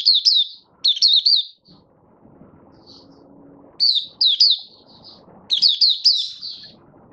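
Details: Caged Malaysian Mata Puteh (Oriental white-eye) kept as a hobby songbird, out of form and being built up, recorded 1 August 2023, giving its 'buka sing' opening song: bursts of high, rapid twittering notes separated by short pauses, with faint low room noise.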